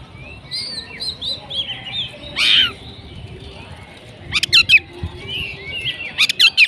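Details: Oriental magpie-robin (kacer) in song, "kacer macet" style; faint high whistled phrases early, a loud burst near 2.5 seconds, then rapid sharp ticking notes in quick clusters toward the end, with low background hum.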